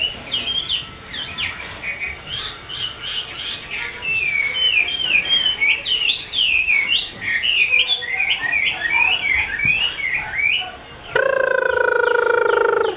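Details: Chinese hwamei of the 'mơ' type from a bird artisan's collection, delivering a long, lively run of looping, varied whistles and trills for about ten seconds. A steady, droning tone then takes over.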